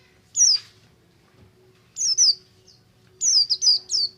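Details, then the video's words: Ngalas song of a Buxtomi oriental white-eye, used as a lure to get other white-eyes singing: a single high swooping whistle, then a pair, then a quick run of three descending piping notes. "BUXTO NGALAS, untuk merangsang pleci ombyokan agar cepat ngriwik"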